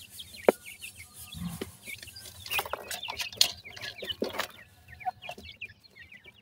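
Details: Grey francolin chicks calling for their mother: high, thin peeping chirps, each a quick rising-then-falling note, scattered irregularly over sharp clicks and handling knocks.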